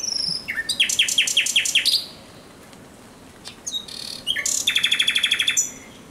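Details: Thrush nightingale night song recorded 17 May 2023: a fast series of five repeated sharp chopping notes, a pause, then loud rattling clicks and a long rapid train of repeated notes.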